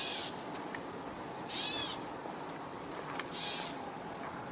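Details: Gray Catbird vocalizing in the background during an outdoor tour on 21 June 2025: three short, nasal, mewing bursts, each about a third of a second long and spaced roughly 1.5 seconds apart, over steady background hiss.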